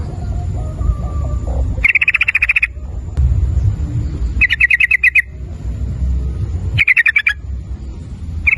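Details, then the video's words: Sooty-headed bulbul sounding off to stir other bulbuls into song: three rapid, rattling note trains spaced a couple of seconds apart, with a low rumble between them. "Suara Burung Trucukan PANCINGAN Trucukan Agar Bunyi Ropel nguklik dengan Trucukan Gacor ini"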